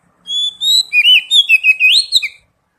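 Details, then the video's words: Oriental magpie-robin song for a singing lure: a clear rising whistle followed by a quick series of looping, warbled notes, about two seconds long. "Pancingan kacer bahan dan terapi bunyi | cepat bunyi respon"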